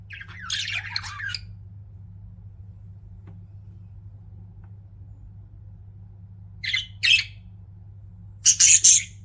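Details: Pet budgies give a brief burst of scratchy chirps, then fall silent for several seconds before two quick chirps and a loud final squawking flurry; a low hum runs underneath.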